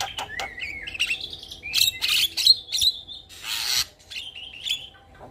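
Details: Gacor Javan myna song packed with fill phrases: a slurred rising whistle opens, followed by scratchy chattering bursts, a long harsh rasp and a final wavering whistle.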